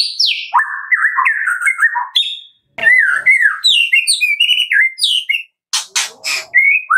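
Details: Medan-type white-rumped shama song, played in the morning as a lure so captive birds start singing: a falling whistle, then fast jumbled warbles and chirps, with several short broadband rattling bursts near the end.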